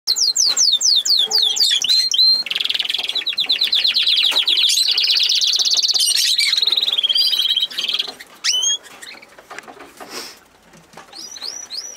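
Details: Canary singing loudly: quick sweeping whistled notes open into a long, fast buzzy roll of rapidly repeated syllables lasting several seconds, then after a pause come scattered bright upslurred whistles and clicks.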